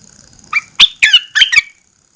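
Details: When its cage cover is first lifted after 14 days, a red-eyed bulbul sings a brisk phrase of four loud, squeaky chirps with slurred, rising-and-falling notes, all within about a second.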